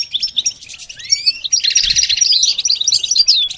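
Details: Goldfinch song for training beginners: scattered high chirps and one rising slurred whistle lead into a dense, fast rolling twitter of mixed notes.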